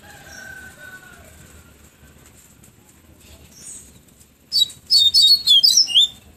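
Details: Bahia seedeater from Pero Vaz, Salvador, singing its flautado tonzé song in the afternoon: four and a half seconds of low background hiss, then a burst of loud, high, rapidly repeated chirping whistles for nearly two seconds.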